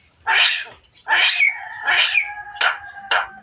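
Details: Javan myna talking and coughing: five loud harsh broad bursts, the first three longer and hoarse, the last two short and sharp, linked by faint nasal tones.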